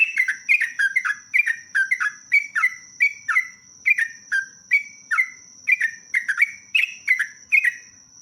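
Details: A sooty-headed bulbul, or trucuk, delivers a long 'ropelan panjang' song. Lively, bright chirps tumble downward in steady pulses, roughly two per second, for the whole stretch, over a faint continuous high tone.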